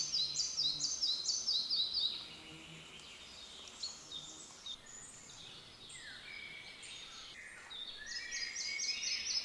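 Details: A Red-breasted Flycatcher (Ficedula parva), recorded on 28 May 2023 in the Dobříš forest district, Czech Republic, during nest-box checks, sings a bright, high series of repeated notes, with other small birds calling faintly behind it.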